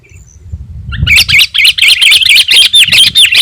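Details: Sooty-headed bulbul with gacor song meant to attract wild birds and provoke rivals: low rumbling background for a second, then quick repeated bright chirps, about eight per second, loud and uneven.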